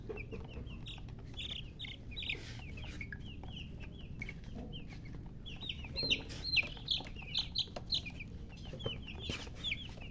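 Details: Several chicks peep busily, high short notes sliding downward, quiet at first and then crowding into faster, louder bursts over a steady low hum.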